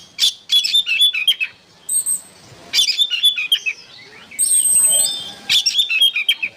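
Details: Oriental magpie-robin song meant for training songbirds: clustered chirpy whistled phrases with thin high ringing notes, delivered in three or four bursts with quieter moments between, faint background hiss.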